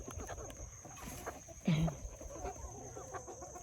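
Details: A hen in a backyard flock on a Sunday morning gives a single short, low cluck midway through, over a steady background hiss and faint murmuring, with roosters audible in the background.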